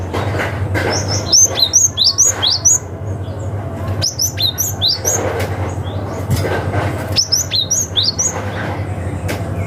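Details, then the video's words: Cinereous tit in forest style calling rivals, used as a lure for young forest birds: three bursts of rapid high, sharp downslurred chirps, each burst about a second long, over a steady low hum. "SUARA gelatik batu ngalas manggil lawan - cocok untuk PANCINGAN gelatik muda hutan"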